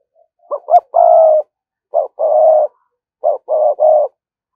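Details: Spotted dove kept as a lure, cooing thúc gù style to attract wild birds: three phrases of low hollow coos, each opening with brief clipped notes and ending in a sustained, slightly falling coo.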